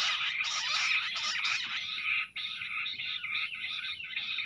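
Jungle bush quail give a dense, high chattering chorus of overlapping shrill notes that runs without pause, breaking briefly halfway and then resuming slightly softer.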